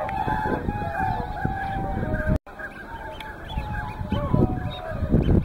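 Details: A mixed flock of whooper and tundra swans at Hyoko, Niigata, keeps calling: a sustained trumpeting note, a brief gap, then more bugling honks from several birds over low-pitched ambient rumble.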